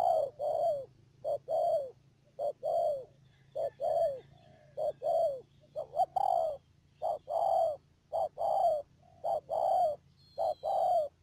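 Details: Trapping decoy spotted dove at Mương Điều, Đầm Dơi, Cà Mau, Vietnam, 12 March 2019. It repeats mellow low coos steadily, each phrase a brief note then a longer falling coo, roughly fifty per minute. Faint higher chirps of another bird and a low hum sound in the background.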